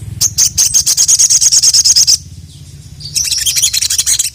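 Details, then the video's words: Sogok ontong (sogon) singing to call a male: a fast, even string of high, sharp buzzy pulses running about two seconds, a short quiet gap, then another rapid high chattering burst, low hum underneath. "SUARA BURUNG SOGON YANG GACOR MEMANGGIL JANTAN INI"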